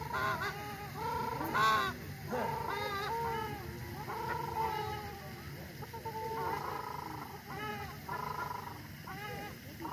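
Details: Ruddy shelducks on a frozen lake in a water park in Tianjin, China, giving loud, nasal, goose-like honks, several birds calling back and forth in overlapping bursts, low background noise.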